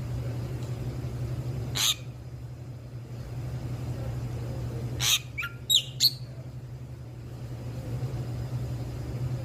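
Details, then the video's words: A Bali myna at a zoo in OKC, looking at the camera, gives harsh, scratchy squawks, one lone burst then a quick cluster of three or four, over a steady low mechanical hum. "Bali Mynah Starling looking at the camera and chirping"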